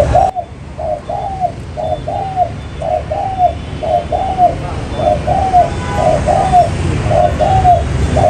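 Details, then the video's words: Spotted dove cooing used to lure wild birds into traps: a steady series of soft, slightly descending coos, grouped in pairs, about one per second, with constant rushing noise behind. "mồi trơn ròng mailai bắt nhiều bổi"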